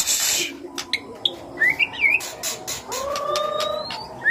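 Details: White-rumped shama in lure-style song for stimulating other birds: sharp clicks, quick rising whistled slurs, then a long steady low whistle overlaid by a thin high whistled line.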